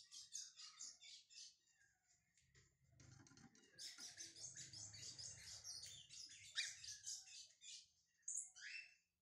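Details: Brown lined seedeater warming up, giving a fast, dense run of high chirps and buzzy twitters. Low rumbling handling noise sits underneath, and sharp whistled notes come near the end.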